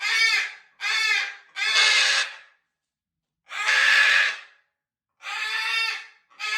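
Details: Macaws at feeding time giving loud, harsh squawks: three quick raspy calls, then two longer, noisier screeches separated by short pauses.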